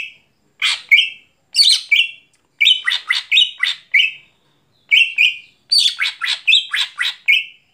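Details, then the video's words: A greater green leafbird (cucak hijau) singing at night gives loud, high bursts of sharp chattering notes and clear whistles, each under a second, with brief pauses and no other sounds. "Cucak Hijau Gacor Malam Hari"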